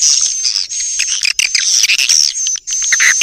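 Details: Swiftlets' lure call in a short burst: shrill, chattering chirps tumble over one another while a sustained piercing tone rings steadily above them.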